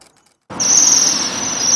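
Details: Waxwings feeding on rowan berries give a very high-pitched metallic trilling call, starting abruptly after a brief quiet and held steady for over a second.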